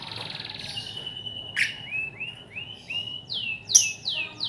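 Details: Colony of lovebirds used as a trilling lure: a buzzy opening, then a run of short whistled notes that slide downward, repeated in a loose series, broken by one sharp high chip.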